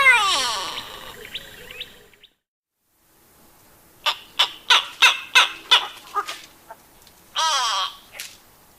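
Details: Grey Go-away-bird, a species that usually lives in small groups perching conspicuously on trees and bushes: a loud nasal, drawn-out go-away call with falling tones, then a pause, a rapid series of about ten sharp grumpy yelps, and another nasal call.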